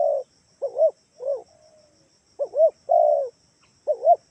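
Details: Spotted dove calling to lure others into replying, Kalimantan type: paired short rounded coos and a longer flat note, repeated about four times with short pauses, a faint electronic whine above.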